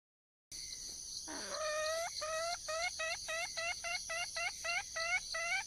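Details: Wild red junglefowl hen calling for a male: after a short drop, a fast run of about a dozen harmonic, slightly rising clucking notes roughly three per second, over a steady shrill insect-like drone.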